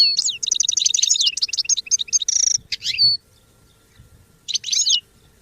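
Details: Goldfinch song used for song training: a rapid, tinkling twitter of close-set high notes, then a harsh buzzy note and a few fluid chirps, a pause, and one more twittering burst.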